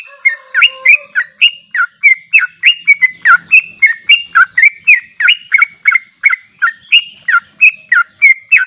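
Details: Unedited long 'ropel' song of a sooty-headed bulbul, used to train other birds: a continuous, brisk series of bright, bouncing whistled notes about three per second, with a faint lower hum at the very start.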